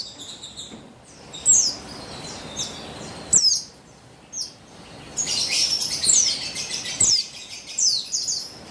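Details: Female buxtoni white-eye calling, a recording used to lure and stimulate male white-eyes into singing: high, thin chirps in short clusters of quick descending notes, bursts about every one to two seconds, with a busier chattering stretch near the end.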